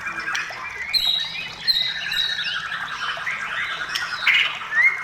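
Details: White-rumped shama in full vigorous song, meant to coax other shamas into singing: a continuous tangle of slurred warbles and harsh squawky notes, mid-to-high pitched, with a rising whistle near the end.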